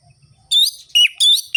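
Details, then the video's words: Brief orange-headed thrush phrase in sharp ngerol-ngeplong rhythm: three loud, bright whistled bursts with twisting pitch, preceded by faint low murmuring. "ANIS MERAH GACOR ABIS untuk pancingan bunyi burung anis merah yang loyo"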